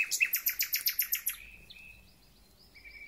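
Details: Thrush nightingale in full song marking the start of spring, singer not clearly seen: about a dozen loud, sharp repeated notes in quick succession, then quieter drawn-out whistles.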